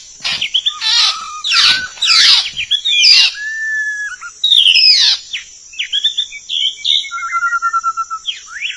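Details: White-rumped shama recording used as a lure for trapping: rich varied whistled phrases, sweeping up and down, with fast chattering notes and a long level trill near the end, over a steady high hiss.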